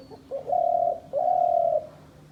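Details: Decoy dove kept by hunters uttering two drawn-out, level coos, each lasting over half a second, preceded by a few soft lead-in notes.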